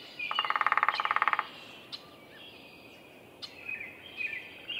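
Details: A downy woodpecker drums a single burst of about a second of fast, even taps at Roberts Bird Sanctuary, Minnesota. Faint scattered ticks and soft bird chirps follow.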